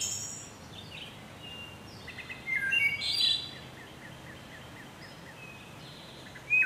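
Wood thrush song: a few clear, fluty phrases with a thin ringing trill, then a soft run of repeated high notes, over a steady background hiss.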